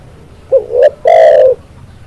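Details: Single spotted dove phrase: a short rising two-note lead-in, then one long, buzzy, steady coo fading at the end.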